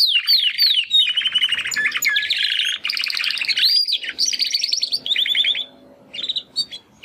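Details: Two Timbrado canary brothers, hatched in the second breeding of 2020, in first song attempts after their first molt; long run of descending whistled slurs, rolling trills and rattling bursts, ending in sparse short notes.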